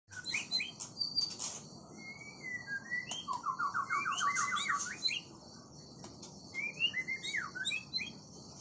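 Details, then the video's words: Oriental magpie-robin of the kind called balak sabang singing a varied song of clear whistles, sliding notes and a quick run of repeated stepped notes, with pauses between phrases and soft background hiss. "Balak sabang"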